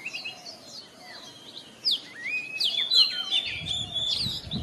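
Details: Morning singing of an Oriental magpie-robin against a hissy background. Quick downward-sweeping whistles and chirps come in rapid succession, with low rumbling noise toward the end.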